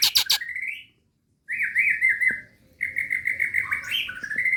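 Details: Female Nias hill myna calling a male, used as a lure: a few sharp clicks, then long wavering whistles held at one pitch with small up-and-down inflections, in two bursts.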